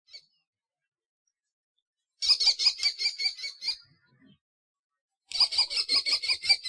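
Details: Common kestrel calling: two bursts of rapid, shrill, repeated notes, about eight to ten sharp pulses each, high-pitched and evenly spaced, separated by a few seconds of silence.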